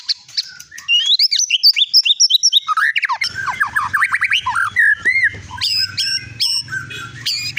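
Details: Prized caged white-rumped shama of the long-tailed Medan type, a winner at many contests, delivers busy high warbling and chattering, then loud descending whistles and varied phrases over a low background hum.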